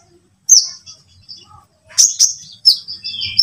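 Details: Sunbird song played as a lure to get other birds singing: very high, thin, sharp chirps and short trills in three separated bursts, clean and quiet between phrases.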